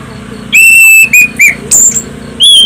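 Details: Shrill, melodious Orange-headed thrush song played to draw other birds into singing: a long steady high whistle, then short clear whistled phrases and a rising note, loud and piercing.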